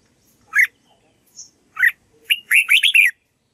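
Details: Red-whiskered bulbul (Pycnonotus jocosus), song.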